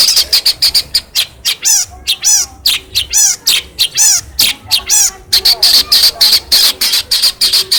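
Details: Hand-reared caged long-tailed shrike from Cilacap, trained with a phone and mimicking other birds: a loud, fast, varied medley of ticking notes, buzzy downslurred trills and chattering bursts, several notes a second, without pause.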